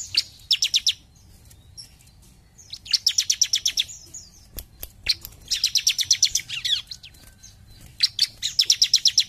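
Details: Bar-winged prinia singing actively in the 'jump shoot' manner: four dense, rattling trills of high, sharp notes, each about a second long, broken by pauses and odd lone clicks, with quiet low hum underneath.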